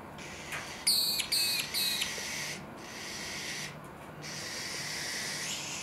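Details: Magpie-lark (peewee) family in the evening, parents encouraging a young bird learning to fly; three loud, ringing, high harmonic notes in quick succession near the start, then steady hiss with faint background sounds.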